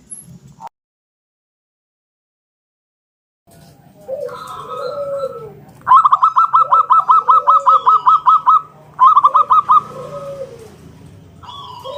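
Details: A vigorous local zebra dove gives 'ngalun kung bulat' song, used to draw other doves into singing. After a quiet start come soft falling coos, then two fast bursts of clipped, staccato notes, about a dozen each.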